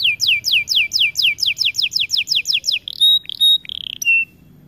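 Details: White-plumaged AF canary in an aviary, singing hard: a loud run of evenly spaced downward-slurred whistles, speeding slightly, then buzzy warbles and a flat sustained whistle before stopping.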